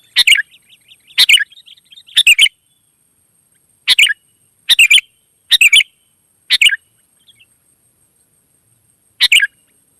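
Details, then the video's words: Lively wild sooty-headed bulbuls answering each other: a run of short bubbly, chattering phrases, the first few trailed by soft warbling notes, then a long pause before one last phrase. "suara burung gacor kutilang liar auto nyaut"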